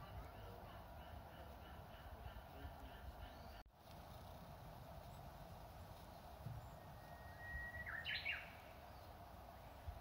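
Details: Japanese bush warbler singing in spring in the grounds of Matsumushi-ji, an old temple in Inzai, Japan, beside ancient cherry trees in full bloom; one long steady whistle breaks into a quick, rising, fluttering flourish near the end, over low rumbling background noise.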